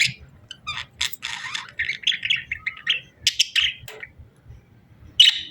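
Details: Breeding-season budgerigar pair chattering: a run of short, scratchy chirps and clicks, then a few sharp squeaks, a pause, and a final harsh chirp, over a faint low rumble.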